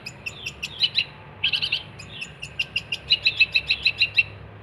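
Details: Long-tailed shrike (cendet) delivering 'gacor' song to tutor songbirds: clipped chirps, a dense cluster of squeaky notes, then an accelerating string of sharp, evenly spaced bright notes.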